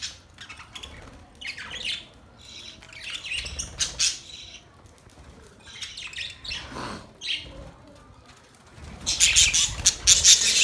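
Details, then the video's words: Budgerigars chirp in scattered short, scratchy bursts at first, building to a loud, dense chattering warble toward the end. "Budgies singing | Budgies sounds | Budgies talking | Budgies chirping sounds"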